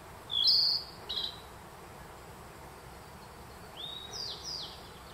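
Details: Narcissus flycatcher in a Kamikochi forest at Myojin, Japan, June 2021, singing a loud rough high note and a brief follow-up, then quieter curved whistles, with a Black Bunting's song also in the area.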